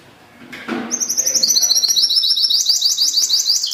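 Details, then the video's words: Pintagol singing: after a faint low thump, a fast run of high, sharp, evenly repeated notes starts near one second and holds for the rest of the clip, like a bright rattling trill. "show de canto desse PINTAGOL"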